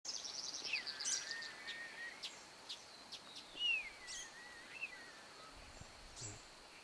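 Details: Strange Weaver in Nyungwe Forest National Park, Rwanda, March 2013, giving thin, high whistled calls that waver and slide downward, mixed with a few sharp chips, faint over steady background hiss.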